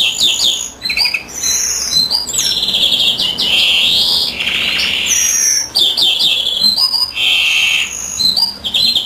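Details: Greenfinch in full song as its mate sits on the eggs, pouring out wheezy sustained buzzes, twittered phrases and short trills in steady succession, with brief pauses between bursts.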